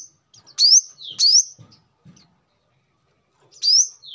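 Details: Brown-throated sunbird, known locally as kolibri kelapa or manggar, recorded as a lure and song model for training birds: three loud, very high, sharp upward-sweeping chirps spaced irregularly, with quiet gaps and a faint low rumble between them.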